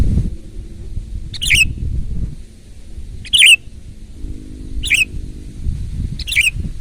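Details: A sooty-headed bulbul sings loudly and actively, repeating a short bubbly phrase of quick liquid notes roughly every one and a half seconds, four phrases in all, with faint low hum beneath.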